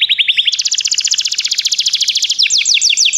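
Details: Begie canary singing, offered as song training: a fast buzzy trill of rapid repeated notes that jumps to a higher, brighter rolling trill, then breaks into quick rising slurred notes near the end.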